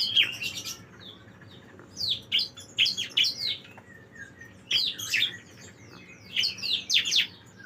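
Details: Bar-winged prinia song used as a master recording for training songbirds: quick bursts of sharp, high, chirping notes grouped into short phrases, with phrases starting at about 0, 2, 4.7 and 6.4 seconds. A faint steady hum runs underneath.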